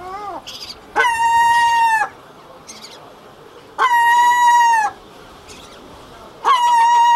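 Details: Herring gulls calling in a breeding colony: loud, level, harmonic wails lasting around a second, repeated about every two and a half seconds, with softer, shorter calls and a brief falling note from nearby birds in between.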